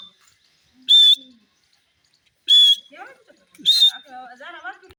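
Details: Grey francolin uttering three loud, shrill, ringing notes spaced about a second and a half apart, followed by softer wavering lower chirps.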